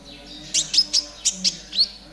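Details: Konin trotol song used as tutor sound for caged birds: after a short quiet start, six sharp, very high chirps follow about every quarter second, each a quick down-slurred note, over faint low background hum.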